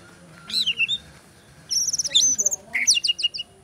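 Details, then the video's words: Captive champion white-rumped shama singing on an iron perch in a bowing style, with a mimicked repertoire including cililin, canary and sparrow phrases: high, sharp chirps and rapid trilled bursts in two quick phrases over a low background hum. "Murai Batu Juara Gaya Sujud Bongkar Isian Cililin, Kenari Tembakan Gereja Tarung"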